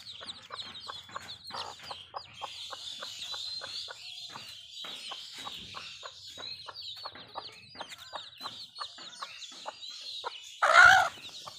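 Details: Village hen with baby chicks, Bangladesh: steady high chick cheeping over a regular series of short clicks roughly every half second, ending with one loud broad burst.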